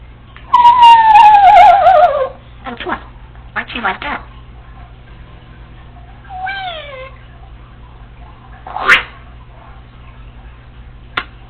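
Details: Female pet Congo African Grey Parrot alone at home, practising phrases: a long wavering descending whistled call, short chattering syllables, another falling whistle and a sharp click.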